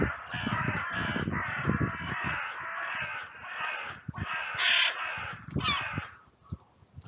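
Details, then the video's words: In a cemetery on a sunny day, several crows caw at once in a harsh, overlapping, near-continuous clamor for about six seconds, with low thumps. It is an outcry after two crows briefly fought, possibly also a raptor alarm. "Crows and Crow Sounds"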